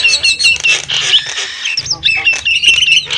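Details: Brief, dense Nias hill myna phrase. Shrill whistles and grating squawks overlap in fast succession, broken by a short pause midway.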